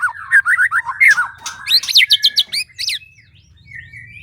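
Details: White-rumped shama in breeding condition at a captive breeding site during the mating season, singing a rich, fast run of varied whistled notes, rising and falling slurs and sharp upswept phrases, then quieter trailing notes over a low background hum.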